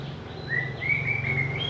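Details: White-rumped shama, said to sing sweetly and mimic other birds, giving a brief series of pure, level whistled notes, one sliding up, ending on a higher whistle.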